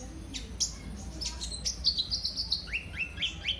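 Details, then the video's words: Kolibri ninja sunbird singing as a lure for other cage birds. High sharp notes rise into a quick run of repeated falling and rising whistles, about four per second. "Burung KOLIBRI NINJA anda LANGSUNG GACOR pancingan dan masteran KOLIBRI NINJA GACOR"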